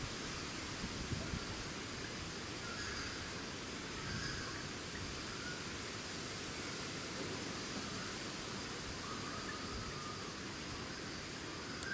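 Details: Steady outdoor hiss and rustling with a faint, even high hum, and no clear animal call.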